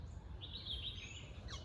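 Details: A red-whiskered bulbul (Pycnonotus jocosus) on a misty winter morning at Hesaraghatta Lake near Bengaluru gives a brief, bright warbled phrase under a second, then a quick high downslurred note, over low rumbling wind noise.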